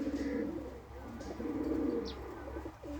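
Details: Pigeon coos in low, droning phrases, one near the start and a longer one mid-clip, with a faint high chirp.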